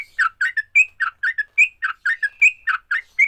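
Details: Sooty-headed bulbul in fighting song meant to make other bulbuls sing, delivering a steady series of short bubbly, slurred notes about every quarter second, some falling, some rising to a brief clear whistle.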